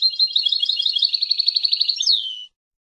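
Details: European goldfinch from Palestine singing: a rapid, even trill of repeated chirps held around the same pitch for two seconds, ending in a sharp rising then falling slurred note; clean recording with nothing else heard.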